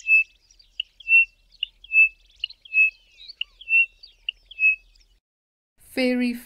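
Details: A Pririt Batis in the southern Karoo, South Africa, gives a steady series of about a dozen clear, high whistled notes, roughly two a second, with a man's voice at the end.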